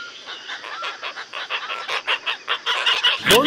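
Asian openbills give harsh, nasal honking notes in a rapid run of about six per second, sounding like several birds calling together, with a brief higher whistle at the end.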